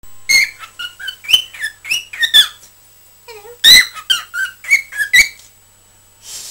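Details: Pet cockatiel chattering indoors, recorded 20 December 2007: a run of short whistled chirps and sharp clicks, some notes rising and falling, with a brief pause midway and a soft hiss at the end.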